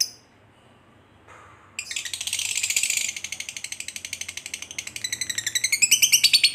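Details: Fighter lovebird giving the long ngekek trill used to provoke another lovebird. Quiet at first, then a dense, rapid, buzzy chatter of high pulses starts near two seconds and runs on, growing louder toward the end.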